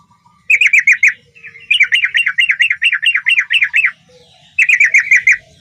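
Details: Sooty-headed bulbul in full, lively song like a wild bird: loud bubbling, rolling phrases of quick up-and-down notes, one long rippling run in the middle framed by shorter bursts, with brief quiet gaps.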